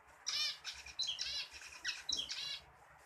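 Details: Zebra finch song: a rapid chain of nasal, buzzy honks mixed with short sliding chirps and downward-swept notes, lasting about two and a half seconds against a quiet background.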